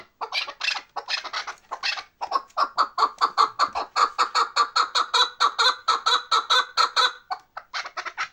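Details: Chukar partridges of Bartang in the Pamir: scattered overlapping clucks at first, then a long, regular chucking series of about thirty notes over five seconds, ending in a brief burst of mixed calls.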